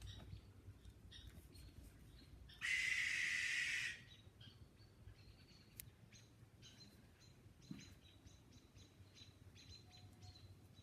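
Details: At night in a countryside wood where several Great Horned Owls live, one owl gives a harsh, hissing screech lasting over a second, with faint clicks and chirps over a low background rumble.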